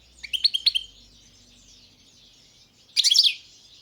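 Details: Carduelis carduelis balcanica, the European goldfinch, gives a few sharp tinkling chirps in a short series, falls silent for about two seconds, then delivers a dense twittering burst.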